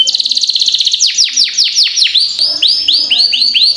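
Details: Canary in long rolling song for tutoring young birds: a fast buzzy trill gives way to a string of high, sharply descending whistled notes repeated about three per second, then rising-falling arched notes.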